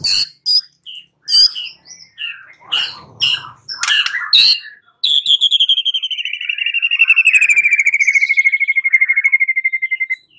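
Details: White-rumped shama song for luring a bird to answer: scattered sharp chirps and harsh notes, then a long, even trill of rapid repeated notes slowly dropping in pitch.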